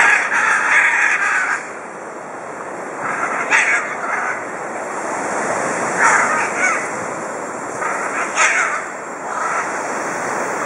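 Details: A Scarlet macaw (Ara macao) gives harsh, raspy squawks in short bursts every couple of seconds, over a steady rushing background like surf or wind.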